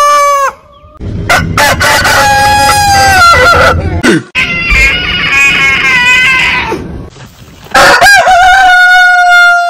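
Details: Rooster crows from a compilation of over a hundred heritage chicken breeds, several overlapping long harmonic calls with stepped openings and sustained wavering endings, spliced together with some noisy segments between.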